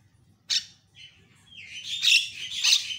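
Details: Javan myna in a tutoring recording, with varied, lively song meant to rile other mynas: a sharp harsh burst, a thin whistle, then rising buzzy, scratchy phrases growing louder toward the end.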